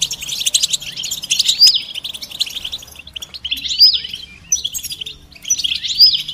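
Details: European goldfinch betbeta and setseta song, mating and readiness calls used to get silent males singing: twittering phrases, each ending in a clear upward-swept whistled note, repeated about every two seconds with soft chatter between them.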